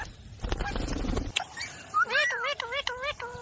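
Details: Alexandrine parakeet talking, natural sound: rough voice-like chatter first, then a run of clear whistled notes, each sliding up and falling back, repeated several times in quick succession.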